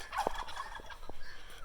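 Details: Guineafowl kept on a property in spring, described as noisy birds that never stop and that keep ticks away; a quick burst of harsh, chattering notes followed by a few isolated short clicks over low background rumble.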